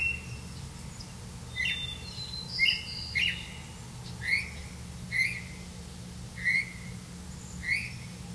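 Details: A Black-bellied Malkoha at its nest, caring for young chicks, gives short, high, slightly rising chirps about one every second over a steady low hum.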